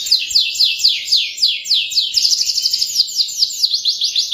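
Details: Canary song used as a lesson for young canaries learning to sing: a fast high trill of rapid downward-sweeping notes, quickening and tightening into a dense chattering roll toward the end, with clean, quiet background.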